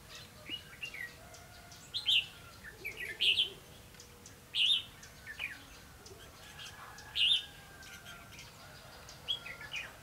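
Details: Red-whiskered bulbul used as a decoy bird for trapping on a day of rain and wind, 31 October 2016: five short, bright, warbled phrases, each rising and twisting, spaced about two to three seconds apart over a quiet background.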